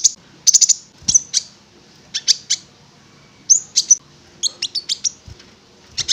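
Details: Konin (prinia) lure song to make the bird sing: scattered short groups of high, sharp clicking notes and brief buzzy phrases with irregular gaps.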